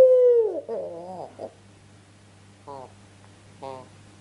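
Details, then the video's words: Ringneck dove calling in a lure recording meant to make other doves answer: a loud clear note sliding downward, a lower wavering rolling phrase, then two short harmonic notes, over a steady low hum. "PANCINGAN TERCEPAT BURUNG PUTER FULL GACOR-HITUNGAN DETIK PASTI NYAUT"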